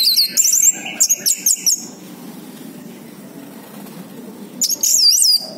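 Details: Orange-headed thrush singing, used as a lure to prompt a bird that has stopped singing: quick runs of very high, twisting whistled notes, a long quiet gap with faint room hiss, then another high warbling burst.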